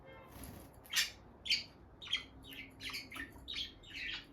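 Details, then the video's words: Bonded pair of captive peach-faced lovebirds near their nest box, the female going in and out: a series of short, sharp chirps about every half second, bright and squeaky, with a faint low hum beneath. "Parrot Chirping Sounds – Relaxing Lovebird Couple Vocalizations"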